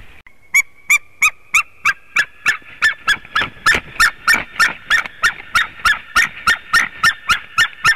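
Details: White-tailed eagle calling at a nest, filmed by a webcam in Latvia: a fast, steady run of about twenty-three sharp yelping notes, nearly three per second, each with ringing overtones. A thin steady tone runs underneath throughout.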